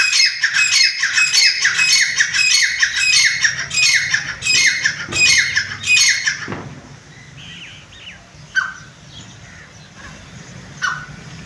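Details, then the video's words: Captive grey francolin (chitta teetar) bred at home: a run of loud, grating notes repeated in quick, fairly even succession for about six seconds. The calling stops abruptly, leaving a few soft chirps against low background hum. "chitta teetar voice"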